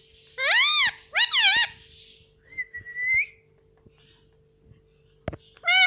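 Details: Green pet Indian ringneck parrot that talks, saying words such as "mummy" and "papa", produces two quick squeaky word-like syllables, then a thin level whistle rising at its close, then after quiet clicks begins another harmonic syllable.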